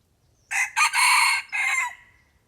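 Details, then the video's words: Red junglefowl lured with a decoy bird gives a loud, harsh crow lasting about one and a half seconds: a short opening note, a long sustained middle section, then a final falling phrase, against a quiet background. "ຕໍ່ໄກ່ໝານໆ ( ต่อไก่หมานๆ)"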